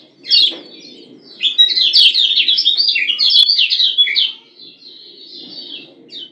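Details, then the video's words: A female Lombok yellow white-eye (Oriental white-eye) gives a brief high note, then about three seconds of thin, twittering chirps over a soft low murmur. The call is used to excite male white-eyes. "Ciak Ciak Kecial Kuning BETINA Ampuh Bikin Kecial JANTAN Langsung NYUT-NYUTAN"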